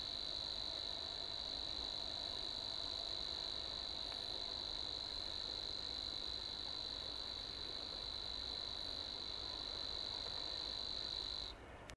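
Savi's warbler reeling a long, even, insect-like buzzing trill that runs on without a break.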